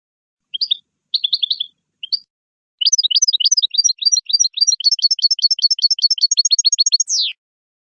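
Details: European goldfinch singing as a model for young goldfinches learning song: a few hesitant twittering bursts, then a long fast series of sharp chipping notes, closing with a falling buzzy slur.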